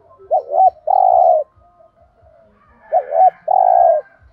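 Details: Provoking coo of a spotted dove in thúc gù style. Two phrases each pair a short wavering double note with a long level coo, about 2.5 seconds apart, over soft steady ticking.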